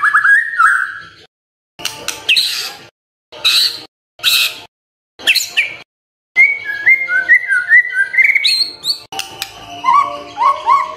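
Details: White-rumped shama singing, a morning song meant to set silent birds singing: a whistled opening, several harsh rasping bursts separated by pauses, then a run of quick whistled trills.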